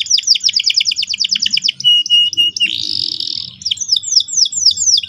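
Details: Canary singing: fast rolling trills of repeated downslurred notes, a sustained buzzy note, then more quick sweeping repeated phrases, loud and clear over a quiet background.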